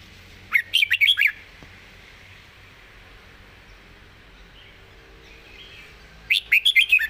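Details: Red-whiskered bulbul, a promising young bird with a soft voice, gives two brief phrases of rapid, bright, slurred whistles about six seconds apart, with a quiet pause between.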